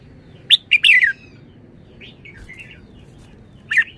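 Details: Red-whiskered bulbul with a bright cluster of whistled notes falling in pitch, soft warbling in between, and a final sharp note; quiet surroundings.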